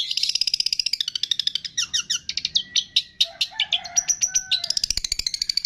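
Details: Long-tailed shrike in a training recording, its song loaded with imitations of cililin, fighting sparrow, lovebird, tengkek and kapas tembak. Rapid high trill, then varied chips, slurred whistles and a low buzzy phrase, ending in quick pulsed notes.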